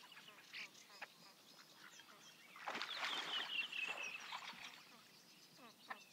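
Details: In Liepāja, Latvia, in 2023, a great crested grebe gives harsh, nasal, rattling calls that swell into a loud two-second burst of braying notes, with softer scattered calls before and after.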